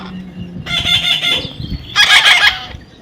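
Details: Parrot outdoors delivers two long, rough, buzzy screeches, about a second each, over low background rumble while a person urges it on.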